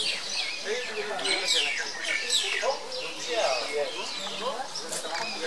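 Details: Common myna, subspecies tristis, at Kaziranga, Assam, India, recorded 15.2.17: a busy, continuous jumble of chattering, squeaky whistles and harsh rasping notes, overlapping throughout as if from several birds, with no clear pauses.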